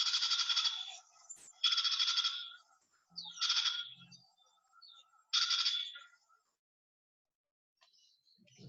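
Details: A house wren gives harsh, buzzy rasping bursts, each under a second long, four times over about six seconds, with faint low sounds near the end. This is one of two call types shown alongside its song. The species lives close to houses.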